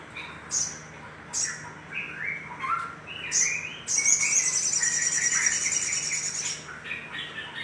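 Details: Calls of little spiderhunter used to stimulate other birds: bright chirps and high squeaks in fast uneven series, building into a sustained, rapid high-pitched trill near the end.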